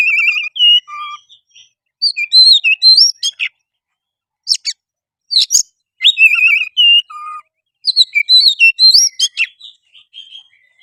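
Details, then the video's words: Oriental magpie-robin in gacor song, used as a lure to make another bird sing, fight and spread its tail; wavering whistles and low sustained notes alternate with buzzy bursts, phrases repeating after short silences. "suara kacer gacor pancingan kacer susah on pasti langsung on tarung buka ekor"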